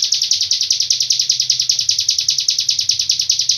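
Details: Hill prinia, Cililin tutor song in long-breath style: a high, rasping trill of quick regular pulses, continuous and even across the clip.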